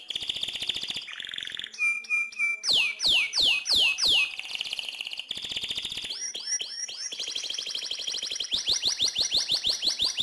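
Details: Canary singing lively and loud as a training model for other birds: fast rattling trills, then sweeping descending whistled notes repeated about every half second, followed by more rapid buzzy trills and rolls.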